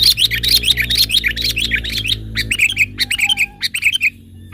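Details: Sooty-headed bulbul from the mountains, used as a trapping lure: fast, continuous bubbly chirping phrases in quick succession over a steady low hum, which fades partway through.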